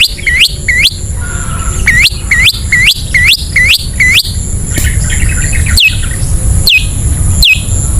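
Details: Long-tailed shrike ngetet sound used to trigger singing in sluggish captive shrikes: quick hooked whistled notes with clicks, a brief softer chattering passage, then spaced notes, over heavy low-pitched background noise.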